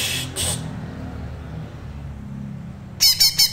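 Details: A young, faintly spotted greater green leafbird learning to sing gives a quick burst of four bright, high whistled notes with a chattering edge, after a faint rustle.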